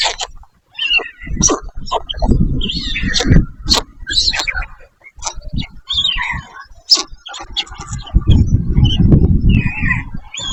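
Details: White storks, parent birds with chicks, in their nest: rough, wheezy, grunting calls in uneven bursts, with sharp clicking and rattling sounds and some higher squeaky notes between them.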